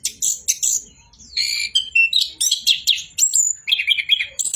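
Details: Orange-headed thrush in full continuous song, mixing buzzy high bursts with clear whistled notes that slide and level off, phrases tumbling one after another with almost no pause.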